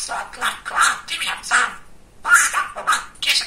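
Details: Pet male budgerigar, described as very chatty and funny, talking indoors: a run of short, squeaky, speech-like syllables in quick bursts, a brief pause near the middle, then more chattering phrases.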